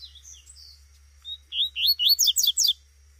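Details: Female coleiro tuitui (Double-collared seedeater) calling out in the bush: a few soft, thin high notes lead into a fast, loud string of rising and falling chirps, roughly seven in just over a second. Low background hum.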